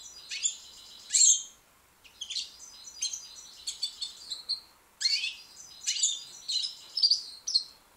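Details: A young white British goldfinch sings a high, tinkling twitter of bright chirps, trills and squeaky notes in quick bursts. There is a brief pause after the first second, then the song continues steadily. A faint hiss runs underneath.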